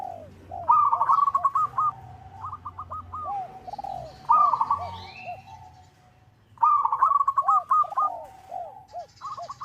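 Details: Zebra dove of a local strain calling out a rival, used as a lure: rolling, trilled coo phrases repeat about every two seconds, overlapped by lower, arched coos from other doves in the background.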